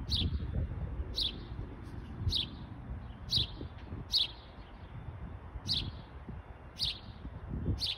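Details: House sparrow calling in Michigan: short, bright chirps given singly and repeated steadily, roughly one every three-quarters of a second, about ten in all, over a low rumbling background noise.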